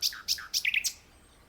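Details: Brief phrase of nightingale song from a tree: alternating high and lower sharp notes, then a quick cluster of chirps ending abruptly.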